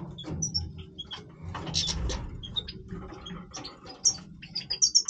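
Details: Singing goldfinch of the Major type, breeding voice: sparse high chirps and twitters, ending in a quick run of buzzy repeated notes, with low background rumble.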